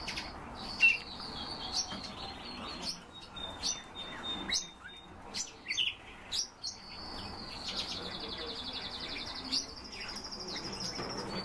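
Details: European bee-eaters trading calls: brief chirps and rolling notes build to extended, vibrating trills near the end, several bird voices overlapping against a quiet background.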